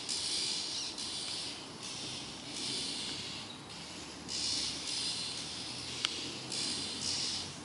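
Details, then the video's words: A frightened Oriental magpie-robin screams with harsh, hissing rasps, each lasting under a second, repeated almost without pause; no other clear sounds are heard. "Oriental Magpie Robin bird scared screaming"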